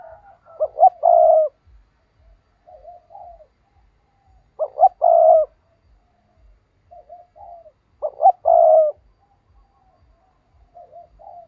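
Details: Decoy spotted dove used to draw in rival doves, repeating a loud coo phrase about every three and a half seconds: two quick notes and a drawn-out hoarse coo, with quieter soft coos in the gaps.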